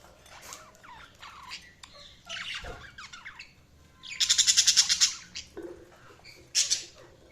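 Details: Budgies chirping and chattering: a busy mix of squeaks, warbles and scratchy notes, with a rapid burst of ticking, buzzy pulses in the middle and a sharp squawk near the end.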